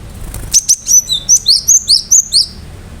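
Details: High, clear gelatik batu song, the cinereous tit in gacor form used to make other birds respond: one run of about ten quick, sharp whistled notes alternating between two pitches, evenly spaced, with little background noise.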